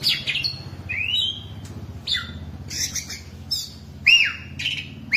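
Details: Oriental magpie-robin, caged ten years, delivers a varied song of upslurred whistles, sweeping downward notes and rasping bursts in short, irregular phrases, with faint low hum underneath.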